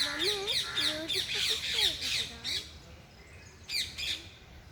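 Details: Loud natural parrot calling: dense, harsh, rapid chirps repeated about three times a second, with lower curving whistled notes in the first half, fading to scattered bursts near the end.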